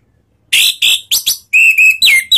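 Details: Orange-headed thrush (Anis Merah) lure sound, ngeplong style, to set other birds singing: rasping loud notes, then level whistles and falling slurred whistles in quick succession.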